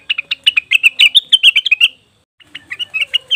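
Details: Cucak wilis or rengganis leafbird lure sound: quick, bright, slightly buzzy chirps tumbling in a two-second burst, a short pause, then a softer run of similar notes.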